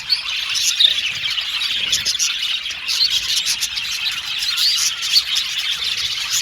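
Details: Happy Australian budgies in a group fill the air with overlapping high chirps, trills and chattering, with a few sharper notes popping out at irregular moments.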